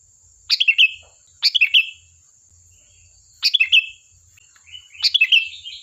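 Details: Sooty-headed bulbul song meant to provoke answering birds: four lively phrases of three or four quick, bright, falling notes, the last running into a softer warble, over a steady high hiss.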